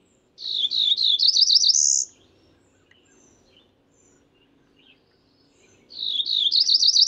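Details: Cerulean warbler giving two high buzzy songs, each a quick series of rising, accelerating notes that ends in a higher drawn-out buzz. The songs are about four seconds apart, with quiet background between them.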